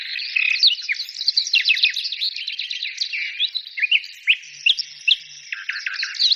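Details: Chorus of songbirds pouring out overlapping high twitters and sharp downward-swept chirps, busy and continuous, with a few louder clipped notes standing out toward the end.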